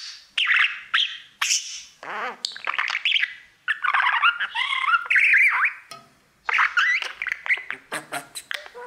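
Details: Pet male budgie singing to his mirror, his habit all day long: sharp clicks, grating buzzes and wavy whistled phrases in a busy chatter, with a short silence late on.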